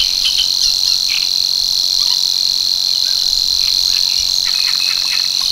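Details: Male Savi's warbler at Tancat de l'Illa, l'Albufera, breeding grounds reached from March. A strident, continuous high-pitched buzz runs evenly without pause, while brief croaking and chirping notes from other callers pop up in the background.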